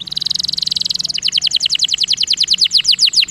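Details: Canary lure song meant to make lazy canaries roll: a very fast, smooth buzzing trill for about a second, then a steady chain of distinct falling whistled notes, roughly eight per second.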